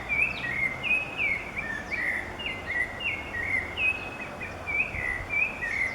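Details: Rufous-bellied Thrush from Brazil singing a steady run of clear whistled notes, short flat and slurred phrases repeated about every half second, over constant broadband background hiss.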